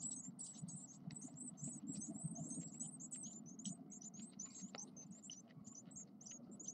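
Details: Ten Blue tit chicks, 9 days old, give a continuous chorus of very high, thin, squeaky begging calls, many overlapping, over a low steady hum.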